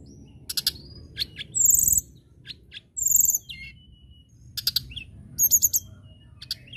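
Common tailorbird giving sharp, very high chirps in quick bursts, mixed with short clear whistled notes, over a steady low rumble.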